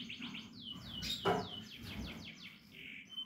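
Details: Portuguese Harlequin canary in captivity giving a quick series of high descending whistled notes, about four per second, with a rustle midway.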